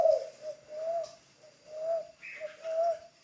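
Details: A ground decoy spotted dove in training gives a series of soft, low coos, each about half a second long and repeated about every second, with a faint higher chirp from another bird in the background.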